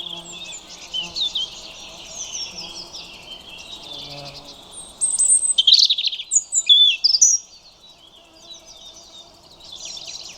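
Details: European robin delivering a loud, two-second phrase of high tinkling notes, quick slurs and fast trills, framed by quieter high-pitched warbling and a steady low murmur underneath.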